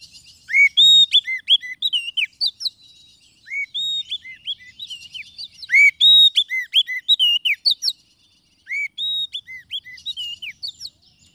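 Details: White-rumped shama song used as a lure for trapping wild birds and prompting lazy birds to sing: clear whistled phrases, varied swoops and chirps, delivered in bursts separated by short pauses.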